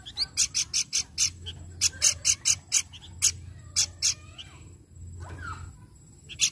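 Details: Pelanduk bukit babbler singing, played to lure other birds into song: quick trains of harsh, clipped notes, about five per second, broken by short pauses and a brief softer warble near the end, over a faint low hum.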